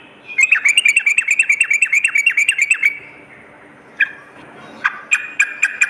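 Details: Vigorous sooty-headed bulbul song used as a morning and night lure: a fast, even series of about eighteen downslurred chirps, then silence and a few scattered sharp notes.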